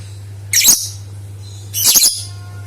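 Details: Lovebird calls used to trigger singing in other lovebirds: a sharp burst of high rasping chatter, then a second, longer and more jumbled screechy burst over a second later, with a steady low hum.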